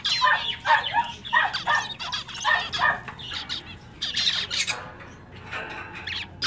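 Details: Male zebra finches kept in a pet shop: loud, nasal, trumpet-like meep calls in quick runs, then a quieter spell of buzzy chatter and fluttering wings.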